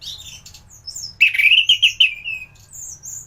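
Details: Singing anis thrush in peak form, recorded as tutor song for other birds: soft high notes, then a strong rolling whistled trill that drifts slowly downward, ending with faint high whistles.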